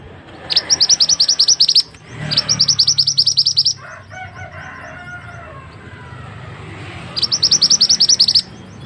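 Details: Mantenan bird, a reliable singer used as tutor material for other birds, repeating quick rattling series of high, sharp chips in three separate bursts. Between bursts, a fainter lower warbling sound and steady background hum.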